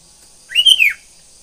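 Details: Morning song of a sooty-headed bulbul: one clear whistled phrase that rises, holds briefly, then slides down, lasting under half a second against a quiet background with a thin high hiss.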